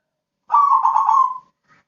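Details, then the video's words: Kept zebra dove giving one rich, rolling trilled coo about a second long, fluttering and slightly falling at the end, followed by a faint brief note. "Burung Perkutut krosing gacorr siang malem bunyi"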